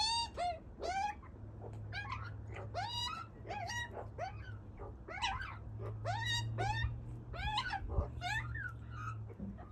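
A young magpie gives a quick run of whiny, rising, squeaky calls, several each second in short bursts, over a low steady hum.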